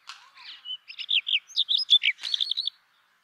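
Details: Indian chat or brown rock chat song: a varied, scratchy phrase of chirps, short whistles and buzzy notes in quick succession, finishing with a brisk series of bright rapid notes before falling silent.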